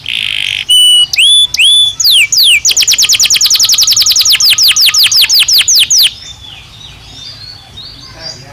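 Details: Belgian canary singing naturally, a loud run of clear whistled rising and falling notes, then a fast series of repeated downward-sweeping high syllables for about three seconds before fading to quiet background.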